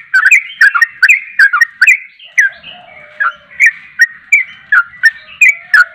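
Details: Yellow-vented bulbul (trucuk) in full, spirited song: quick clusters of gurgling whistles, then a pause with a low drawn tone, resuming with spaced bright slurred notes.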